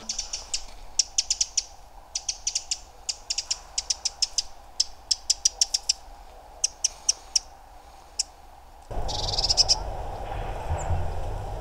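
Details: Bearded reedlings giving autumn contact calls at the Ptasi Raj reserve, between hammer strikes: short, high, metallic 'ping' notes in quick bursts of three to six over nine seconds; music and applause follow.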